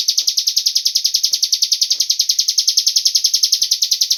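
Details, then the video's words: Cigun bird lure to draw other birds into singing, heard as a bright, rapid and evenly repeated chirping that never pauses, with a few faint clicks beneath. "Pancingan burung cigun agar ikut bunyi"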